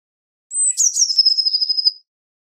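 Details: Eurasian blue tit song, one phrase: a high thin whistle sliding down into a fast, even trill lasting about a second, on a silent background.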